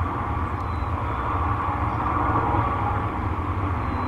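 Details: Steady broadband wind and distant vehicle drone, with no distinct calls.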